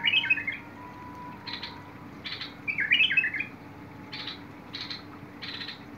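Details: Bulbul singing on 21 August 2022: two liquid warbled phrases alternating with harsh buzzy rasping notes, with steady hum beneath.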